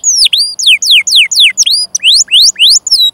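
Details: Canary in long, continuous song used as a tutor recording for young canaries and birds that have stopped singing: fast high sweeping notes, most sliding downward, a few rising, repeated about four times a second with clean pauses.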